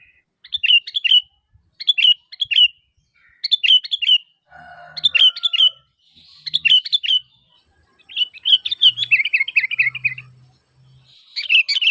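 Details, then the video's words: Calling sooty-headed bulbul used as a lure for other bulbuls: bursts of quick chirped notes in clusters, a faint lower whistle partway through, then a rapid descending chatter over a low hum. "Suara Asli Kutilang Gacor Memanggil, Kutilang Pasti Nyaut"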